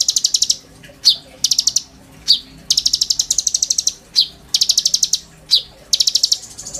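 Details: Oriental magpie-robin in energetic song with imitated filler phrases, used as master song for a young sunbird: short bursts of rapid buzzy rattling alternating with single sharp falling notes, steadily repeated.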